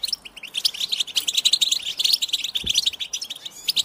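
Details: Bright, chattering goldfinch song intended to set other goldfinches singing, made of quick high chirps and short liquid trills, with a faint low knock partway through.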